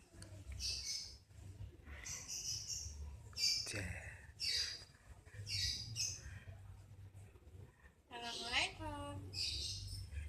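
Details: Common hill myna talking, saying "Assalamualaikum Cewek": a series of high-pitched, scratchy, voice-like bursts about once a second, with a person's lower voice near the end and a steady low hum throughout.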